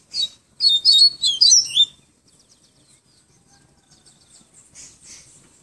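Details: Yellow-bellied seedeater from Pero Vaz, Salvador, Bahia, giving a short tui tui viviti flautado phrase: one high chip, then a fast cascade of sweet, swooping notes over a second, fading into soft faint ticks.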